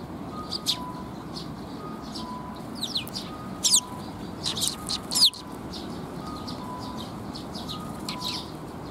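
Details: Several Eurasian tree sparrows gathering to be fed at a waterside bridge in Japan on 19 June 2021, giving sparse high chirps and a few louder sharp tweets, over steady background noise and faint alternating tones.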